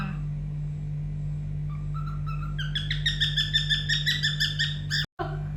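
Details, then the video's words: Pet cockatiel at home singing when coaxed: a few soft whistles stepping upward, then a quick series of repeated bright chirped notes, over a constant low electrical hum. "Cocktail singing adorable song"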